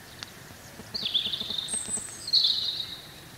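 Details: European robin, a free-living bird, singing in spring: two high, thin warbling phrases with a sustained whistled note between them, set against noticeable background noise and faint clicks.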